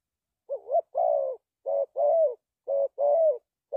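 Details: Spotted dove, a bird used in Vietnamese lure trapping, giving low, soft cooing phrases: a short coo, then a longer, burry, slightly falling coo. The pair repeats three times over a clean, silent background.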